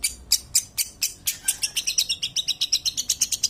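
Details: Long-tailed shrike in vigorous song: a run of sharp, high chirping notes repeated about twice a second, bright and slightly irregular, with little else in the background.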